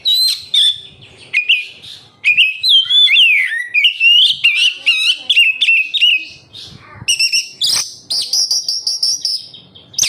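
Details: Oriental magpie-robin (kacer) in energetic song, used as a lure for captive birds: long run of varied whistles, trills and swooping notes, shifting to higher, dense chattering phrases near the end.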